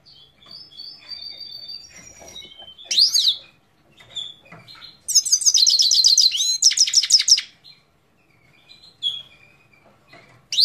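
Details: Himalayan goldfinch, Parachinar: thin whistles and a quick upward-swept note, then a loud, dense two-second trill of tinkling high notes, with scattered chirps afterward and another sweep at the end.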